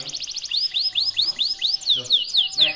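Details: Red intense canary from Indonesia singing a rapid series of repeated arched, bright whistled syllables, about four per second, with a faint low hum behind.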